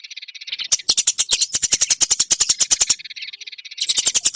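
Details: Eurasian tree sparrow chirping, a long training recording for songbirds: a dense run of sharp, bright chirps repeated about three times a second, in bursts with brief buzzier pauses between them.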